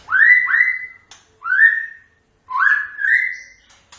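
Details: White-rumped shama song: rich, rising whistled phrases that swell and hold steady, delivered in three bursts with short pauses, plus faint high overtones.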